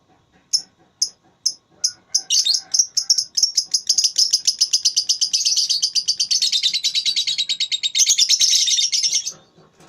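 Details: Lovebird singing in the ngekek style during a voice-battle contest: separate sharp high chirps that speed up into a long, continuous, rattling high trill lasting several seconds, growing louder and busier before stopping.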